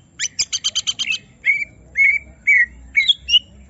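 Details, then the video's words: Provoked caged greater green leafbird: a rapid string of about eight harsh buzzy notes, followed by clear, drawn-out whistles, some level and some slurred. "Semua Cucak Ijo Langsung Emosi Bongkar Isian mendengar suara Cucak Ijo lagi di Trek Emosi ini"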